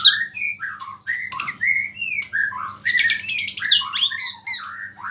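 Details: White-rumped shama singing to provoke rival shamas, delivering a rich run of short whistled slurs and sweeps with buzzy high bursts in between, continuous and loud, over a faint low hum.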